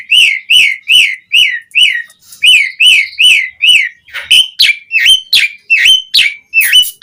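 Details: Lure song of an Asian pied starling meant to set other starlings singing: a fast series of loud, clear whistled notes, about two per second, first evenly looped, then sharper, upward-flicking whistles with squeaky overtones.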